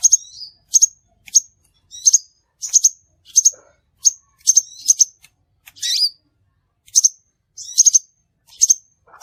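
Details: Crimson sunbird calls for luring birds into traps: a steady series of high sharp chips and doubled notes, roughly two per second, with occasional downslurred buzzy squeaks.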